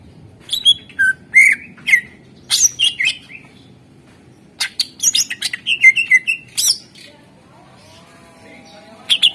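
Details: Greater green leafbird song played to coax other birds into singing: two bursts of rapid whistles, sharp chips and slurred notes separated by a short pause, with faint low rising whistles near the end.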